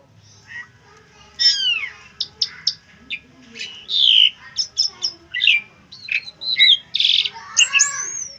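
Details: Asian pied starling song used as tutor material for other birds: clear falling whistles mixed with rattling chirps and a brief harsh buzz, delivered in uneven bursts.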